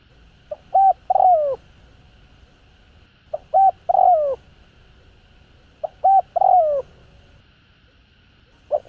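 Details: Cooing spotted dove meant to excite caged birds. Three full phrases, each two brief notes followed by a long slurred downward coo, repeat about every two and a half seconds. A fourth begins at the end.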